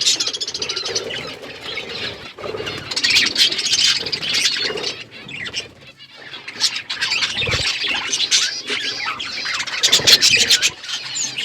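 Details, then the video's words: Budgerigars chirping as a flock in an outdoor aviary: continuous high chattering and squawky warbles from many birds, swelling and dipping in loudness, with occasional low fluttering thuds. "Budgies flocks in outdoor aviary budgies colour budgies chirping sounds"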